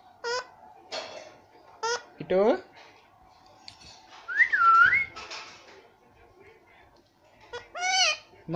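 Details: Indian ringneck parakeet imitating speech and calling: brief sharp nasal syllables repeated at about one-second intervals, a looping whistled note midway, then a louder rising-falling phrase near the end after a quiet pause.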